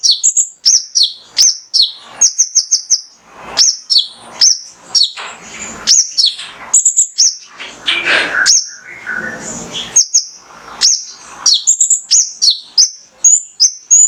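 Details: Mangrove whistler male singing continuous full-burst master song meant to stimulate other birds: long sequence of high, sharply slurred whistles and chirps in quick clusters, with a brief hissy noisy patch midway.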